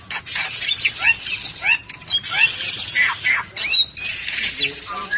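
A Bali myna sings a busy, jumbled run of harsh squawks, chatters and bright rising whistles, with almost no pause between phrases.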